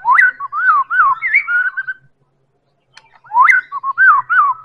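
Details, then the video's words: Lure song of a Medan-type White-rumped shama, meant to set other birds singing: loud, looping whistled phrases that rise and fall, then a silent gap of about a second before the pattern repeats. "Pancingan Murai Batu Medan"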